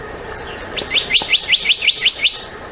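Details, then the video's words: Black-naped monarch giving a quick run of about eight sharp, rising, ringing notes, evenly spaced at roughly six per second, preceded by a couple of thin, softer slurred whistles; steady faint background hiss. "黑枕藍鶲的叫聲/Sound of Black-naped Blue Monarch"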